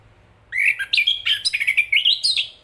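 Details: Chestnut-capped thrush song: a rapid, varied phrase of clear whistled notes jumping between pitches, some slurred up or down, about a dozen syllables in under two seconds.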